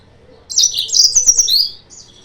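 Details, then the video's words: Yellow-fronted canary singing a lure phrase meant to provoke rivals: one bright, rapid run of high chirps and slurred whistles lasting about a second, ending in a softer trailing note. "PANCINGAN/MASTERAN BURUNG MOZAMBIK"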